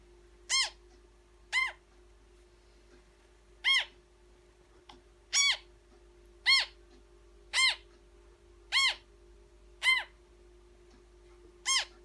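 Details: A newborn African grey parrot chick being hand-fed gives short, rasping, harmonic squeaks, about nine in twelve seconds at uneven intervals, over a steady low electrical hum.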